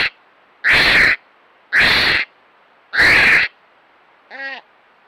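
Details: A captive North Island Brown Kiwi at Te Puia, New Zealand, in June 2022, gives three harsh, hoarse, half-second cries about a second apart, then a brief, higher nasal note.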